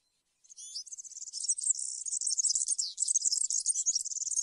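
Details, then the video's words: European serin delivering cante campero, a field-style song for tutoring: a sustained, very high, rapid jingling and fizzing warble that starts with a few thin notes and continues without a break. "𝗩𝗘𝗥𝗗𝗘𝗖𝗜𝗟𝗟𝗢 𝗖𝗔𝗡𝗧𝗔𝗡𝗗𝗢 𝗖𝗔𝗠𝗣𝗘𝗥𝗢"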